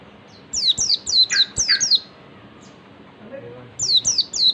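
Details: Oriental white-eye singing in the ngalas manner, meant to provoke other birds into answering: a quick run of six piercing downslurred whistles, a pause with a faint low murmur, then three more matching notes.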